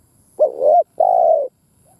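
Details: Spotted dove used as a decoy, giving a two-part coo: a first note that rises and wavers, then a steadier, slightly falling second note, low and mellow against a quiet background.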